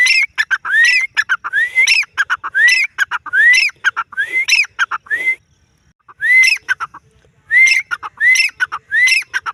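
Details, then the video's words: A female grey francolin gives loud repeated phrases of harsh clicks ending in rising whistles, delivered in a rapid run, then a brief silence before the series resumes. "Dakhni teetar ki awaz|teetar voice|teetar awaz|Teetar awaj|teetar sound|grayfarcolin|female teetar"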